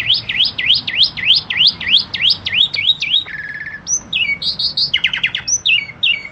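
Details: Jalak suren, the Asian pied starling of Indonesia, bred in captivity by bird-song lovers, pours out a fast run of repeated rising-falling whistles, then a buzzy rattle, sharp clipped notes and short sliding whistles.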